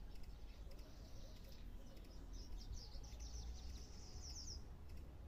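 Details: Swallow perched on a wire, singing a long run of fine twittering, buzzy high notes that rise toward the end, over steady low rumbling background noise.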